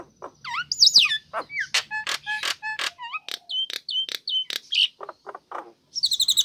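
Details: Female Nias hill myna calling to the male, used as a lure to prompt reluctant birds to sing: loud, clear series of harmonic notes, bent whistles and sharp clicks, with rapid varied phrases and short gaps, ending in a quick buzzy trill.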